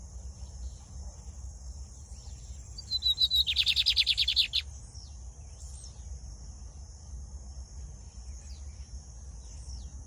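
A lined seedeater gives one high, two-second phrase: a thin sliding whistle, then a fast buzzy chatter. A steady high insect hiss and a low rumble fill the background.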